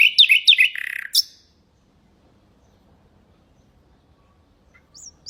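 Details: Common nightingale song used for teaching goldfinches and canaries: a quick burst of sharp, high chirps and a short rattling trill lasting about a second, then silence with a few faint high notes at the end.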